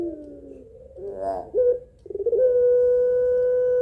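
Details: Barbary dove, local pelung singer, calling males: a soft falling tone and a short bubbling gurgle lead into a clear, level, sustained hum.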